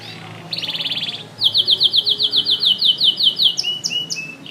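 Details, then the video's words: Canary singing intensely: a fast buzzy trill, then a string of about sixteen sharp, evenly repeated high notes, closing with a few upslurred whistles, with a low hum beneath. "Canary ( chim hoàng yến hót cực căng)"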